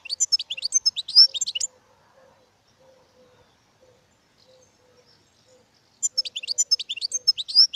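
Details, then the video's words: Two dense phrases of European goldfinch song, rapid high chattering and tinkling notes with buzzy twists, separated by a long quiet interval broken only by a soft low repeated tone. "Goldfinches(carduelis) Amazing Singing"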